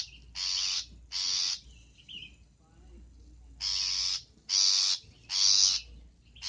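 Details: Long-tailed shrike, lively and full of fill-in song, on a recording for tutoring cage birds; a series of harsh, grating rasps about half a second long, repeated irregularly, with brief soft chirps between them.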